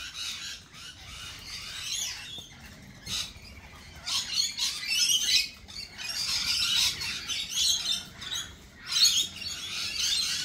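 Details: Lorikeets at a cafe, a chorus of harsh, high squawks and chattering screeches rising in bursts at intervals, several birds calling over one another.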